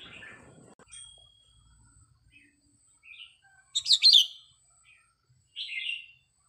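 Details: Red-whiskered bulbul song from a training recording: after a quiet start, a bright burst of quick warbled, whistled notes near the middle, then a short, slurred, chirpy phrase near the end.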